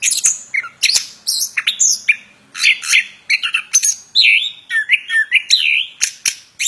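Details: Plontang bird singing energetically: dense, varied phrases of sharp chirps, buzzy squawks and wavering whistles tumbling one after another with only short gaps, over a faint low hum.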